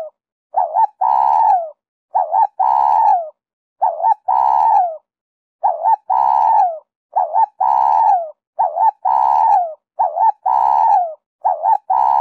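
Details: Spotted dove song in the 'Giọng Kim 2 hậu' style, used as a lure for wild doves and to stir a decoy bird. A clean run of repeated phrases roughly every one and a half seconds, each with short arched coos and a drawn-out, descending, purring note.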